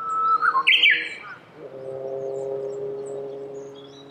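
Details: Japanese bush warbler singing near cherry blossoms in Saitama Prefecture, Japan, March 2019: a short whistle leading into a loud, dense flourish, followed by a steady low droning hum.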